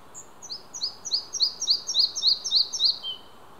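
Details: Singing male Red-breasted flycatcher at Hunneberg Nature Reserve, Västergötland, Sweden, 5 June 2015, recorded on an Olympus OM-D E-M5 II: a high, quick series of about ten paired sweet notes, steadily repeated, ending in one lower falling note; faint background hiss.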